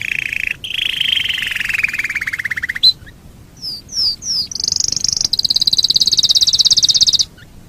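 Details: Canary song as a tutoring master: a long trill falling slowly in pitch, a brief pause, three down-slurred high notes, then a sustained very high rattling trill.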